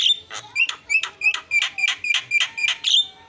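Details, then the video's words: Javan myna repeating a harsh, clipped note about three times a second in a steady chattering series, part of its isian filler song. "SUARA ISIAN..!! JALAK KEBO PALING KRENN"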